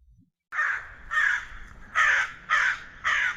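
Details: Crow giving a series of five harsh, hoarse caws, each lasting about a third of a second and spaced roughly half a second apart, after a brief quiet start.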